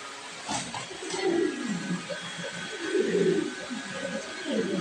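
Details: Imported black Show King pigeons, offered as a breeding pair of male and female, heard indoors giving low, throaty, rolling coos in uneven bursts, with some overlapping calls and faint background hum.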